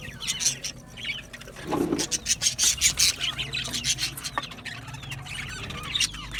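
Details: Australian budgerigars in an aviary, a dense chorus of scratchy, squeaky chirps and chatter, busy and overlapping without pause, with a brief lower rustle near the middle.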